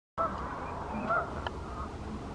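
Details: Pink-footed geese at Wyver Lane: a few short, clipped honks with a nasal, two-toned quality, clustered near the start and again around one second, over a steady background hiss and low rumble.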